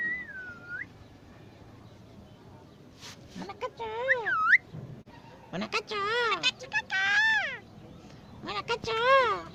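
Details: Crested myna talking like a human: a short falling whistle, then bursts of harmonic, speech-like wavering syllables rising and falling, with clicks and pauses between phrases, over a faint background hiss.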